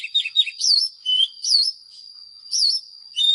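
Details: Oriental magpie-robin, a lure bird, singing loud ringing whistled phrases with upward and downward slurs, each phrase about a quarter second, spaced by short pauses.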